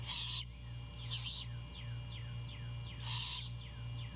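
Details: Female great horned owl at a Savannah nest cam, early morning of 2 April 2022, calling for her mate ahead of a breakfast delivery; three broad, raspy screech bursts, with faint short descending chirps from another bird between them and a constant low hum.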